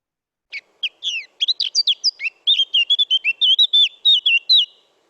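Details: A Eurasian blackcap sings a quick, varied run of short, softer chattering notes that gives way to the species' typical clear, fluty final warble. No other sounds intrude.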